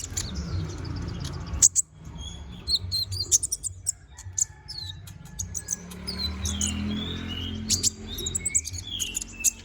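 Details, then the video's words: Lively Konin bird delivering a varied song used as a model for magpie-robins: high sharp chirps mixed with short downslurred whistles in irregular bursts, over steady low background noise. "BURUNG KONIN GACOR NGOBRA FULL ISIAN"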